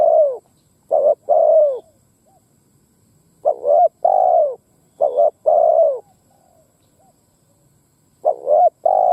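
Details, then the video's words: Lure spotted dove cooing to challenge wild doves: repeated phrases of brief double notes and longer down-sliding coos, with faint soft tail notes after some phrases and short gaps between. "Tiếng Chim Cu Gáy mồi đất gáy kích bổi Mở là gáy"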